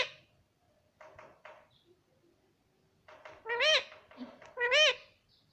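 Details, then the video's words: Talking pet parrot that says "mitthu" and "mummy": soft rasping bursts at first, then two loud arched nasal syllables about a second apart, like a spoken word mimicked indoors. "मिट्ठू मिट्ठू बोलेगा तोता _ मम्मी बोलने वाला तोता मैना _ parrot sound"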